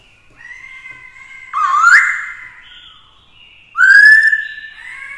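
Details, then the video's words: Black-throated laughingthrush in varied forest-style song meant to spur fighting, a female nearby exciting it; two loud upward-sliding whistles about two seconds apart over faint steady tones. "Khướu mộc hót kích đấu - Khướu bạc má hót nhiều giọng hay"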